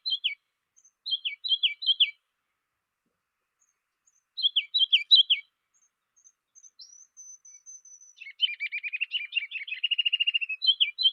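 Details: Ruby-crowned Kinglet song, a Montana bird of conifer tops and willows: quick sets of three high, down-slurred notes, a thin very high whistle, then a loud, rapid rolling run of chattering notes.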